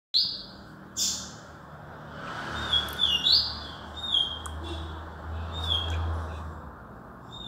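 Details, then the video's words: Yellow-bellied seedeater (papa-capim) singing in Alagoas, Brazil: high, quick phrases of sweet whistles and buzzy trills that slide up and down, several bursts over the recording, with low background rumble. "papa capim - Alagoas"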